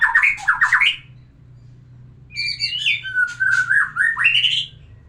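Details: White-rumped shama song played to arouse a female for breeding: rapid sequences of rising, slurred whistled phrases, a short pause, then varied fluty notes and chattering bursts climbing in pitch, with a low steady hum beneath.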